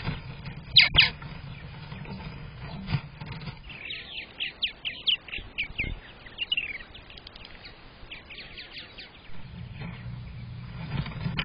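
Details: Purple martin at nest #11 in a backyard colony rack, May 27, 2023: a loud double chirp, then a rapid run of gurgling, warbled notes, with low hum from the nest box.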